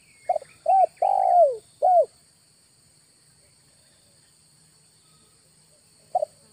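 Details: Spotted dove lure call recorded in August: a short low note, two clipped coos, a long slurred coo falling in pitch and a final coo, then several seconds of quiet before another note begins.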